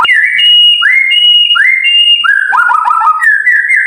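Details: White-rumped shama song used as tutor audio to get silent birds singing: loud, clear whistled phrases, each a rising swoop into a held high note, repeated about every half second, then a quick run of descending trills.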